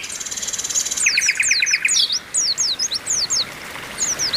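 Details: Several Oriental white-eyes calling together, including a female calling to stimulate males: a thin high buzz, then a short run of pulsed mid-pitched notes and a steady sequence of sharp downslurred chirps.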